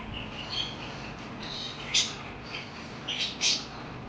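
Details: Chirping parakeets give a lively run of high twittering notes, with two loud sharp chirps near the middle and end against a low continuous hum.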